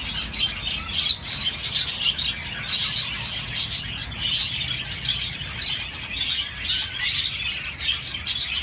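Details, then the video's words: A flock of budgerigars chirping: bright, quick, overlapping twitters and scratchy chatter, a few sharper louder chirps standing out, continuous for the whole stretch. "تغريد طيور الحب البادجي"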